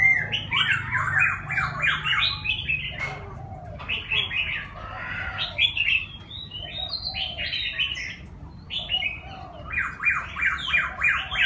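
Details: A six-month-old Chinese francolin practises its crow: rough, grating notes in quick stuttering bursts, three ragged phrases, over a low steady hum.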